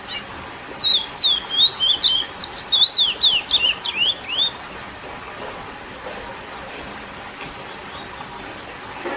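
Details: Sporophila angolensis, the lesser seed finch or curió, delivering its classic song to excite females: a fast, ringing phrase of about fourteen slurred whistles lasting nearly four seconds, followed by a steady hissing background.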